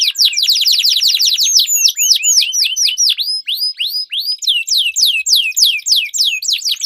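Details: Canary song used as a lure to train competition birds, a duel of singers: fast repeated downslurred whistled notes in rapid trills, then slower sweeping slurs, high-pitched and continuous.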